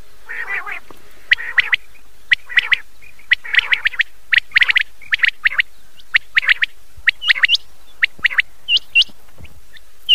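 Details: Night-time common quail calls from an old cassette: a few soft rasping notes at first, then bright, clipped two- and three-note bursts following quickly one after another, ending in short upward-flicking whistles.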